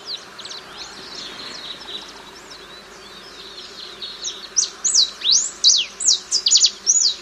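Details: Ringed warbling finch, a species of Bolivia, Argentina and Paraguay, singing: faint high notes at first, then a loud run of slurred, rising and falling whistled notes, roughly two per second, over soft background hiss.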